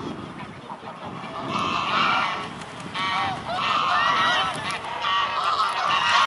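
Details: A gathering of mute swans at the Blaues Wunder, Dresden, 14 October 2017, 14:00; quiet start, then repeated loud nasal honks and short tonal whoops from several birds, growing busier toward the end.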